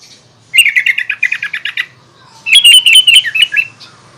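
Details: Sooty-headed bulbul in full, energetic song meant to provoke other bulbuls: a fast run of bright chirping notes, a pause of under a second, then a second busy, twittering phrase.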